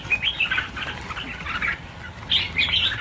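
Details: Hundreds of red-whiskered bulbuls, part of a release of 1000 birds, giving quick clear chirps and slurred notes in an overlapping chatter, louder near the end.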